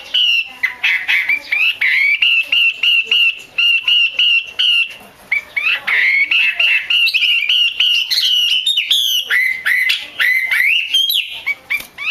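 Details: Hen Chinese hwamei chattering in the 'te' style that bird keepers use to make males sing hard: long strings of quick, bright, level notes, with occasional dipping and upswept phrases between bursts.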